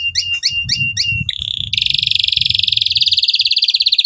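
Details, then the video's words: Canary lure recording for young canaries: several paired chirping notes, then a rapid high buzzing trill, over a low background rumble. "KENARI GACOR cuit cuit NEMBAK PANJANG, pancingann kenari paud belajar bunyi"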